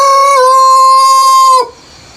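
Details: Early-morning crow of a rooster before sunrise on a countryside farm: a loud, steady, strongly harmonic call held for about one and a half seconds at an even pitch, ending sharply, with faint background ambience afterwards.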